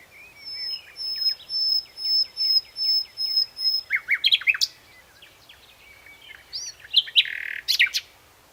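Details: Common nightingale singing: a rapid series of about a dozen clear high repeated notes, then a burst of varied chirps, sharp rising whistles and a buzzy rattle, with pauses between phrases.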